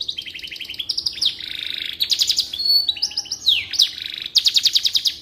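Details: Canary in full song as tutor material for white-rumped shamas, mixing stuttered high trills, a buzzy rolled phrase, piercing whistles and bursts of rapid repeated notes.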